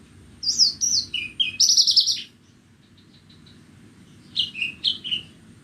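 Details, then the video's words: On a bright morning a Horsfield's bush lark from Borneo gives falling whistled slurs and a harsh buzzy burst, goes quiet, then resumes with a few dropping whistles; steady low hum throughout. "burung branjangan borneo bernyanyi"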